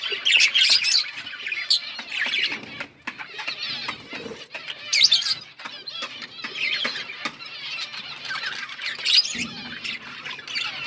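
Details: Flock of budgerigars warbling, with bursts of scratchy chirps and squeaky notes rising and falling in loudness, and a soft flutter of wings in the background.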